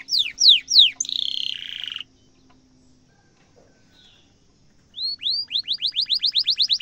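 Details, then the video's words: Canary song meant to train young canaries: three downward-swept notes, a buzzy burst, a long silent pause, then rising notes that quicken into a steady rapid trill. "kenari gacor ngerol tajam cuit cuit kenari bisu langsung nyaut efektif untuk masteran kenari muda"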